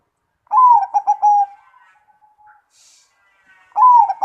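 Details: Perkutut, the zebra dove, giving a loud coo: a short rising first note followed by a fast stuttered series of low, even coos, then a pause before the next phrase begins.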